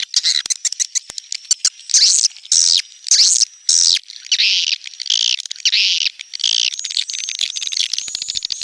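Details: Swiftlet calls in a neutral sound: a quick run of clicks, then longer buzzy, raspy chirps repeated roughly every half second, ending in softer chatter with a thin whistle.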